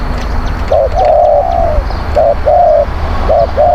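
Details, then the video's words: Lure-song of a spotted dove: three cooing phrases, each a quick double note then a longer steady coo, with a faint low hum at the start and soft background rumble. "ต่อนกเขาใหญ่ เสียงนกเขาใหญ่"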